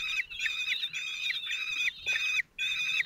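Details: At a common kestrel nest in Théding, 26 June 2023, a single male feeds four chicks aged 16 days. Grating, slightly descending calls follow one another rapidly, nearly continuous, with one brief silent gap.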